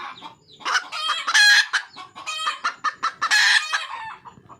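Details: Red junglefowl hen in the wild, calling to attract a male, gives rapid, uneven clucks that build into two loud, rasping squawks about two seconds apart.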